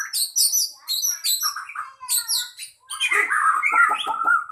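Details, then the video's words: Singing-contest White-rumped shama delivering rapid high chattering phrases repeated in bursts, then a long rambling warble with harsh notes and lower clicks beneath. "lomba bunyi burung murai"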